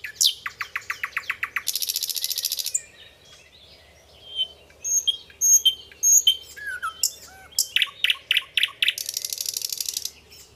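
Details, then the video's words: Nightingale singing in a masteran recording meant to teach other birds: a quick run of repeated notes swelling into a harsh buzzy trill, then pure whistled notes, a falling slur and another stretch of rapid repeats and buzz. "masteran semua jenis burung jernih suara nightingale"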